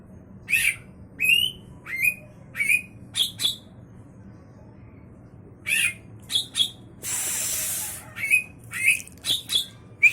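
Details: Young White-rumped shama kept as a promising contest songbird; bright, clipped whistled phrases, many sweeping down then up, given in quick bursts with a pause mid-way and a brief hiss of noise.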